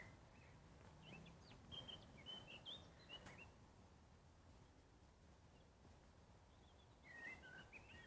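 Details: A common blackbird sings quiet, fluty whistled phrases at sunset over a soft background hiss.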